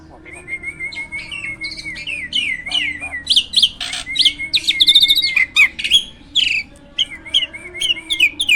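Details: Caged hybrid jalak (myna) singing constantly, kept as a master bird for training other songbirds; a steady run of rising-falling whistles builds into loud, jumbled chattering bursts with harsh buzzy notes, then wavy repeated whistles.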